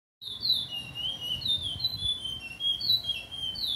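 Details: Chestnut-bellied seed finch (curió) singing in the late afternoon on 8 September 2022: clear whistled notes sliding between mid and high pitch, flowing in a slow, continuous melodic phrase with little background noise.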